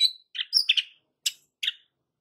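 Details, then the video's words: White-rumped shama lure song meant to provoke young and wild fighting birds: a handful of brief, sharp, high chirps and chips with gaps between them. "pancingan Suara KALEM tapi TAJAM Untuk Pancing FIGHTER Murai batu PAUD dan Muda Hutan"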